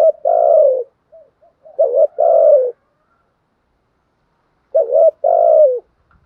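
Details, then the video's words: Spotted dove cooing, 'thúc' with 'gù': three low phrases, each a quick wavering note and a longer coo that drops in pitch, with a short soft note between the first two. "chim cu gáy bài bản thúc với gù"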